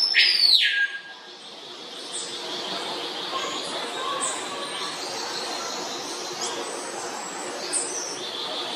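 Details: Male and female swallow tanagers, the female green and the male blue with a black face, seen processing food into a throat-pouch and courting; one loud sharp call slurs steeply downward in the first second, then faint high chirps over steady hiss.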